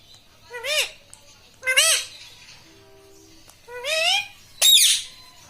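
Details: Pet parrot that talks, repeating words such as "mummy" and "mitthu". Four separate harmonic squawks, each rising then falling, come about a second apart, with a faint low hum in one pause.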